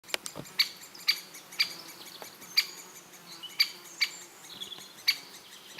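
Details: Great spotted woodpecker in Elatia Forest, Greece, giving sharp, short, high 'kik' notes repeated roughly every half second to second, each clipped and emphatic, with faint background forest sounds.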